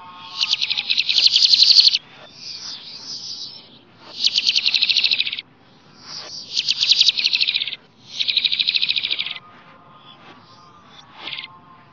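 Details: Flamboyan bird recorded in the wild, singing melodiously; loud, buzzy rapid trills in bursts of one to two seconds, alternating with softer chattering notes, repeated several times in a steady pattern.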